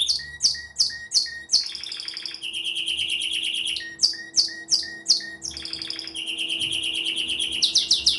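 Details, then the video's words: A canary sings a pleasant song of sharp repeated chip notes, then long rapid rolling trills at varying pitches. A steady low hum sits in the background. "pleasant canary singing"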